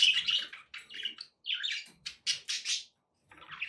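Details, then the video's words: Budgerigars kept as pets chattering in a room, a run of bright, buzzy warbles and short squeaky chirps in rapid bursts with brief silences between. "relaxing budgie sounds"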